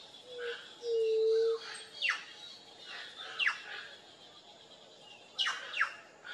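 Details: White-tipped dove (juriti-pupu) uttering a single low, smooth, hooted note near the start, followed by scattered sharp downslurred chirps from other birds and a faint hiss.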